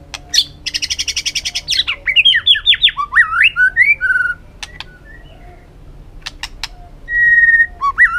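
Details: White-rumped shama pouring out a rich forest song: a fast buzzy trill, a cascade of swooping whistles, sharp clicks, and a long steady whistle near the end.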